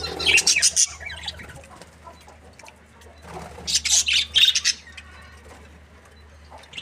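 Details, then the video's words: Budgerigar breeding pair described as happy, giving two bursts of bright, scratchy high chirps and squawks, the first near the start and the second around four seconds, with quiet gaps and a low steady hum beneath. "Happy budgie chirping sounds 🦜| breeding pair"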